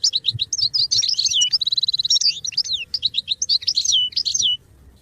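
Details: Goldfinch singing to support song development: nearly continuous bright twittering for about four and a half seconds, with a short buzzy, nasal trill in the middle and rapid up-and-down whistled notes throughout.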